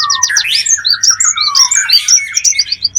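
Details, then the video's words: Birdsong for luring wild birds: tumbling whistled phrases and quick high chirps, about three a second, over a soft low hum. "Pikat ampuh,untuk pancingan burung liar"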